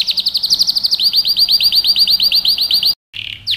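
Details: Canary training song: a rapid, regular chain of looping whistled notes, about three per second, changing to a slightly lower repeated figure, a brief pause, then a buzzy note.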